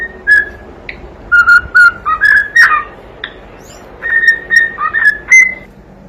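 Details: Whistled song of a young pet cockatiel, used to entertain another bird: short level whistles and quick upward slides in two clusters, with a pause in the middle.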